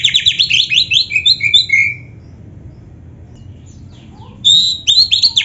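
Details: Oriental magpie-robin (kacer) in lively 'gacor full isian' singing: about two seconds of fast, buzzy, descending chattering notes, a quiet pause with one soft rising note, then the bright, varied phrases resume.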